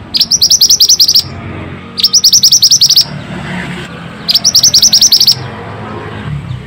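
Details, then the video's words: Pied bushchat singing in full voice, played to prompt stressed or reluctant birds to sing. Three bursts of about ten rapid, sharp, high-pitched repeated notes, each about a second long, separated by brief pauses, over a faint low hum. "Pancingan burung Mantenan gacor ll Cocok untuk burung mantenan malas bunyi"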